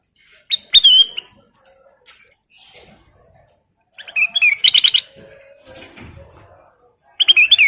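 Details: Golden kutilang, a sooty-headed bulbul, singing as a lure: separate bursts of sharp, chirpy, bubbling notes with short pauses between, a loud flurry near the middle and another phrase starting at the end.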